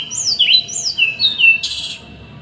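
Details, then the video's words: Small songbird master song: clear whistled notes sliding down and up, repeated in quick pairs, closing with a short burst of very high hissing chatter. "Masteran burung kecil | Masteran tembakan rapat dan kasar"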